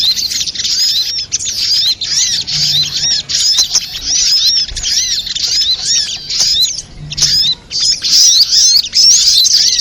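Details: Spiderhunter calls used as a lure sound for trapping birds: a dense, continuous stream of high, sharp chirps and twittering notes, many overlapping and repeated about once a second, with brief gaps.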